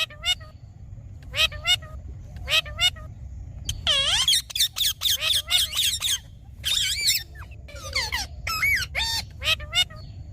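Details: Green talking parrot giving a long run of sharp, harmonic squawks and chattering notes, some short and clipped, others drawn out and bending, spaced irregularly over a low steady hum.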